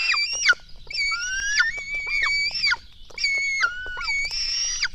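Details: At a Latvian black stork nest at 04:53 on 24 June 2016, chicks being fed give drawn-out, whining screeches. Several calls slide downward at the end, separated by short pauses against a quiet background.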